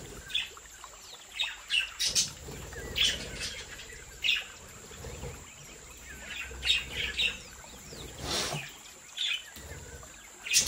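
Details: A colony of Australian budgerigars in a home breeding aviary chattering with repeated short high chirps and squeaks scattered irregularly, over soft rustling and a steady high hum.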